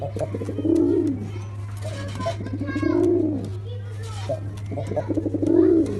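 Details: Black pigeon cooing: three low, throaty, arched coo phrases, each swelling and fading over about a second, spaced roughly two seconds apart, with faint clicks between them and a steady low electrical hum underneath.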